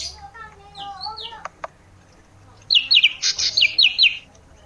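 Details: Olive-backed tailorbird in isian song. After softer warbled whistles and two clicks, a rapid series of sharp paired high chips begins near 2.7 s and runs for about a second and a half.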